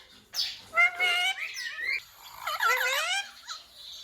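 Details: Ringneck parakeet talking, repeating words such as mummy, papa and mithu; warbling, speech-like phrases with wavering harmonic tones, a few short squeaky syllables between them, indoors and fairly close.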